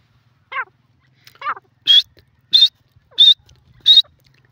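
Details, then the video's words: Grey francolin: two soft, low rasping notes, then four loud, high, piercing calls spaced evenly about two-thirds of a second apart, in near silence. "teetar ki awaz videos grey partridge bird voice"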